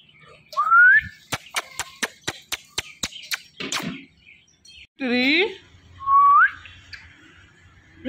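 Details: Pet Indian ringneck parrot, a talking bird, gives rising whistled notes at the start and end, with a quick run of about ten sharp clicks and a short burst of harmonic, voice-like sounds in between, indoors.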